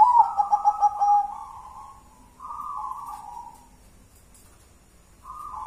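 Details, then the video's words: Local wild-type zebra dove singing in the ngelaras style, one-and-a-half engkel pattern: a burst of quick pulsed cooing notes flows into drawn-out rolling coos, a pause, then another low coo phrase begins. "Suara perkutut adem di hati ngelaras 1 stgh engkel"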